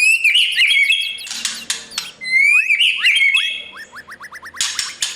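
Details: White-rumped shama practising its competition song: bright whistled phrases with buzzy bursts, a rising slurred whistle, then a quick row of short rising notes.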